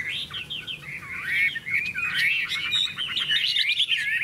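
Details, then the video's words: Caged contest Hwamei with bright yellow plumage and big tail, displaying its wings. Continuous loud, looping whistled phrases, liquid and variable, with rapid rising and falling notes throughout. "Họa mi hót đấu"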